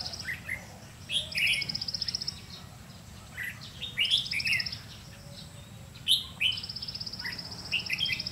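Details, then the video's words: During bulbul trapping on 30 May 2016, a red-whiskered bulbul decoy sings short bright warbled phrases spaced irregularly, against a high buzzing trill and constant low hum; a man speaks briefly afterwards. "Bẫy chào mào lăng săng ché-cánh các kiểu"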